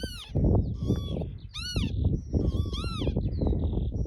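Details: Northern lapwings, a mating pair on Barden Moor near Skipton, June 2026, give several hoarse arched calls in quick succession, with thin high whistles between them and heavy wind buffeting underneath.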